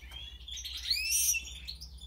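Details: Short burst of European goldfinch song, a jumble of rising and falling tinkling chirps building to a loud bright phrase.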